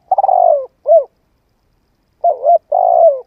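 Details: Spotted dove cooing, used to stimulate and train a decoy bird: a long, low, pulsed coo sliding downward, a short mellow note, then a two-part coo and another long falling phrase. No other sounds.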